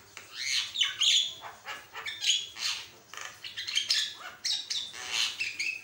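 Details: Javan myna singing loudly with varied notes, kept as a master recording to teach all kinds of mynas: dense, harsh chattering bursts mixed with squeaky whistles and chirps in an irregular, busy stream.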